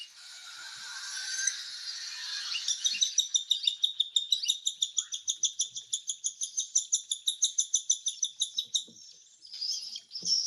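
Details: Cockatiel begging as it is hand-fed: a hoarse, hissing whine at first, then a long, even series of high buzzy pulses, about three per second, ending in a couple of rasping squeals.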